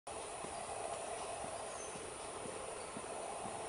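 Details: Steady broadband hiss with a constant hum and faint clicks throughout, and no animal voice audible.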